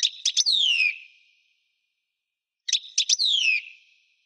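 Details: Two similar European goldfinch phrases: a few clipped chirps followed by a long, descending, slightly buzzy whistle, with a gap of about two seconds between them.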